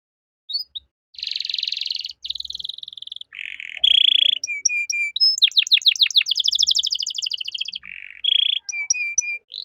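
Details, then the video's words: Canary singing in the lively 'gacor' manner with a 'cengkok mewah' (luxurious phrasing) song, recorded as tutor material for young songbirds; dense buzzy rolls, a steep fan of rapid down-sweeps, then short clipped whistled notes repeated in runs. "MASTERAN KENARI GACOR || Cengkok Mewah Mudah Masuk untuk Burung Bahan"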